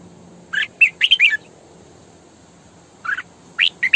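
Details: Decoy female red-whiskered bulbul giving full sổ bọng căng song meant to draw in wild birds: a quick cluster of five lively, fluty chirps, a pause, then three more sharp notes, over a soft background hiss.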